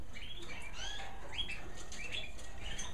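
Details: American Singer canaries in a bird room in the evening, as it grows darker, croon their evening songs: short, bright, high whistles and rising slurs, several birds overlapping over a steady low room hum.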